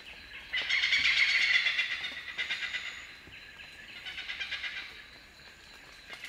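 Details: Oriental pied hornbill calling: loud, harsh, rapid cackling "kek-kek-kek" notes run together in two bursts, the first longer and louder, the second fainter.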